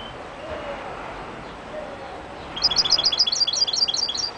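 A European goldfinch bursts into a quick, tinkling twitter of high, liquid notes for about two seconds after a quiet start with soft background hiss.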